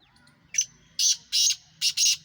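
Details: Sindhi black francolin from Pakistan giving its harsh rasping call, a short lead-in note followed by four loud grating bursts in a rhythmic phrase, over a quiet low background hum.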